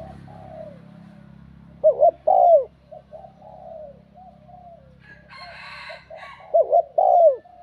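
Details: Spotted dove in bell-voice style cooing to provoke rival males, two mellow phrases of wavering double note and long falling coo, soft coos between, and a brief harsher higher sound midway.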